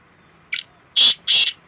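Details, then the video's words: Two black francolins calling against each other in a tough contest, May 2024: a brief scratchy note followed by two loud, rasping, hissy bursts about a third of a second apart. "2 شیدھی کالے تیتر آوازوں کا سخت مقابلہ"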